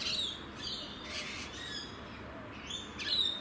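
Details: Rainbow lorikeets in Australia give harsh, high screeches and squawks in short rasping bursts, with a thin whistled note at the start and end.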